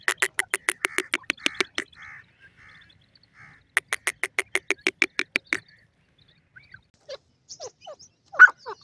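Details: Partridge heard at a cage where a female bird perches, surprised; two runs of rapid, raspy chuckling notes, then scattered soft calls and one loud short note near the end.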